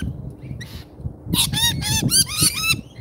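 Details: Lorikeets at a feeder in Australia, filmed by a live camera: a fast series of five or six loud, harsh, buzzy squawks, roughly four per second, after a few softer notes.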